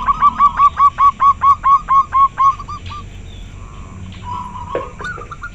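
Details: Local zebra dove, described as very clear-voiced: about ten rapid, regularly spaced hooked notes in the first two and a half seconds, then fainter scattered notes and background hum.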